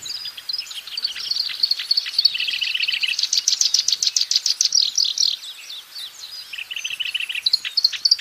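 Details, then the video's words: Black-browed reed warbler singing energetically in natural surroundings, a long stream of high, scratchy chattering notes with rapid trilled stretches and slightly lower buzzy passages, continuing without pause for over eight seconds. "Burung kerakbasi alis hitam gacor di alam bebas"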